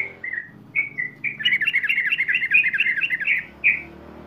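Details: Sooty-headed bulbul ngeropel, a lure for young birds: a few whistled notes, then a rapid rolling string of bubbly notes lasting about two seconds, ending on a single clear whistle.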